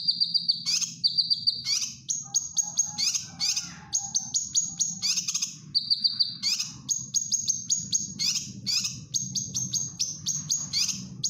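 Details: Cucak kinoy bulbul in lively song used to train caged birds: high buzzy trills, rasping bursts and many short sharp whistles tumbling along continuously, over a constant low background hum.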